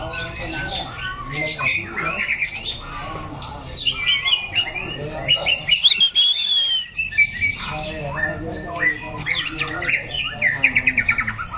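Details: White-rumped shama singing during a song-training session: rich, varied whistled phrases, sliding and warbling, with some fast rattled note series toward the end, over low background rumble.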